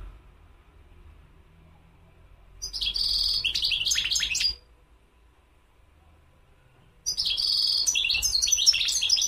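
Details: A goldfinch delivers two separate phrases of fast, jingling high-pitched twitters mixed with a nasal buzz, the first near two seconds, the second after a long silence.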